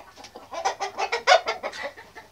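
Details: White Australorp chickens at mealtime giving a busy series of short, harsh clucks, several per second and uneven in loudness, with one louder cluck near the middle.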